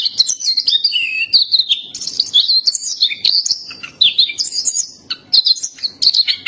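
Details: Lively high warbling by a black-capped white-eye (pleci dahi hitam) in 'gacor' tutor song: varied sliding chirps rise and fall in short, quick phrases separated by tiny pauses.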